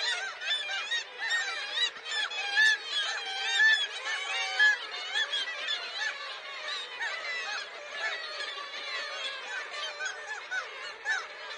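A dense chorus of gulls: many overlapping harsh, laughing and mewing cries, with no pause across the whole stretch.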